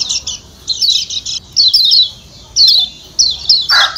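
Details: Kecial kuning or pleci Lombok (Lombok white-eye) calling 'ciak ciak': bright, rapid high chirp series in bursts with short gaps, and a brief harsher lower note near the end.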